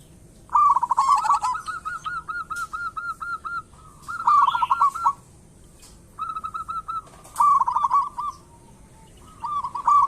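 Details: Local zebra dove in full song, used as a lure to make other zebra doves sing: bursts of stuttered, bubbly coos around one pitch, one phrase running into an even series of rapid repeated notes, with short pauses between phrases.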